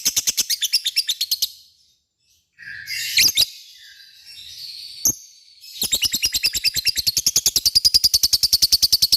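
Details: Lovebird singing ngekek, used to provoke a response from other lovebirds: rapid runs of high, harsh repeated chirps, broken midway by a gap and a few louder squeaky notes before the fast chatter resumes.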